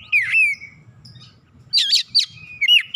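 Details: Reluctant Oriental magpie-robin gives a loud slurred whistle falling in pitch, a pause, then harsh rasping chatter followed by a short rising whistle, faint low rumble beneath.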